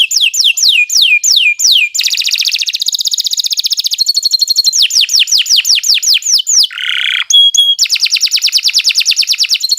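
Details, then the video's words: Canary (Kenari) in full long song as a master: series of downslurred whistles, rapid buzzing trills, more slurs, a harsh low buzz and a pure whistle, then another fast trill. "Kicau Burung Kenari 123 II LUAR BIASA GACOR PANJANG Cocok untuk Masteran"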